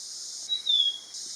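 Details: Black-capped babbler (Pellorneum capistratum) in Nakhon Si Thammarat province, southern Thailand, calling while preening after a shower: one clear, high whistle sliding gently downward over half a second, against a steady high insect hiss.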